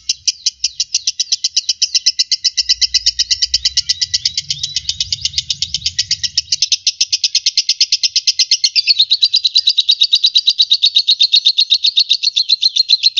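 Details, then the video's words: Lovebird delivering a long, fast chattering song of shrill high chirps, about three per second, dense and unbroken, shifting slightly lower in pitch partway through, with brief low rumbling noise early on. "SUARA BURUNG LOVEBIRD MASTER"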